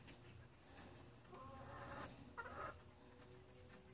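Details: Chicken calls: two drawn-out, harmonic, slightly wavering clucks in the middle of the recording, faint against a low steady hum.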